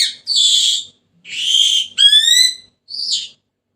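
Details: Senegal parrot utters two long rough squawks, then a bright rising harmonic whistle and a short nasal note, all within under four seconds.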